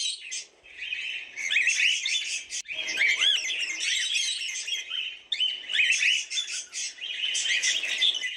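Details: Cockatiels in continuous busy chatter, with overlapping squawks, whistled slides and chirps.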